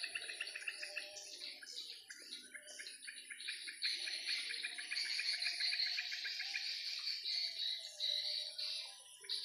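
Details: Swiftlets over a swiftlet house in the afternoon, flying and playing. Dense overlapping chattering: rattling clicked chirps and buzzy twitters from several birds, with some lower squeaky notes beneath and a steady high whine.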